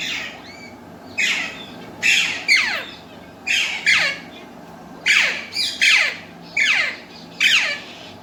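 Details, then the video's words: Talking pet parrots, Alexandrine and Indian ringneck, known for Urdu and Hindi words; a run of about ten loud, grating, descending squawks, often doubled, spaced roughly half a second to a second apart in a quiet room. "alexandrine and ringneck talking parrot"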